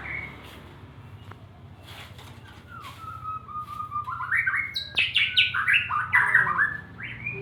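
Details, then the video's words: Male white-rumped shama singing in the morning: a low mellow whistled phrase building into rising, fast-stepped rich notes climbing higher, over a steady low hum of background noise. "ngibun di pagi hari"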